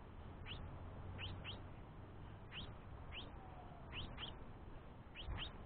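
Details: Persistent food begging by a young House Finch directed at its father as the mother rests. Rapid upward-sweeping chirps, often doubled, recur through the clip over a faint low rumble.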